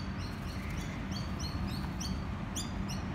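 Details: A noisy miner chick, recorded on 28 December 2018, gives thin, high chirps in quick bursts, several each second, over a steady low rumble of background noise.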